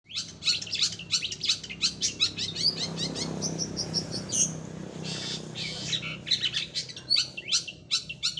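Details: Long-tailed shrike in full song: sharp high chips and short whistled notes repeated in quick succession, with a broad low rumbling noise swelling through the middle of the recording.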